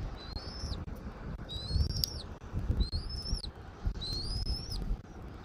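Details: Bald eagle calling at its nest in Southwest Florida, filmed by a nest camera on 13 January 2024 at 14:17: four high, thin, slightly rising whistled calls, each about half a second long, spaced roughly a second apart, over low wind rumble.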